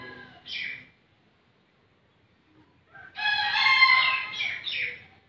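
A brief shrill note, then after a pause a bekisar's high, harsh crow of about two seconds, ending in a couple of squeaky rising notes.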